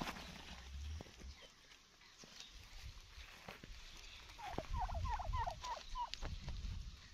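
Wild turkey gobbling, a rapid, warbling rattle of notes repeated several times in the second half, over low rumbling background noise.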